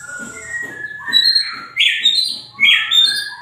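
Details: Greater green leafbird singing actively, rich whistled phrases rising and falling, with loud slurred notes near the end over a soft low regular pulsing in the background.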